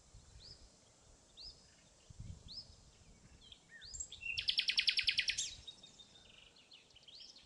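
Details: Common nightingale song recorded 28 April 2016 in Pszczyna county, southern Poland. Soft, spaced upslurred whistles build into a loud, very fast rattling trill lasting about a second, then quieter whistles, with faint low background noise.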